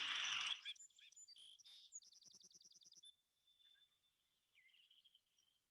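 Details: Song Sparrow sings a few bright notes, then a fast even trill, ending in thin buzzy notes, with a burst of noise at the start. This song is among the most common heard at Hicks Meadow in spring, and the bird is a summer resident at Still Pond Preserve, New Canaan.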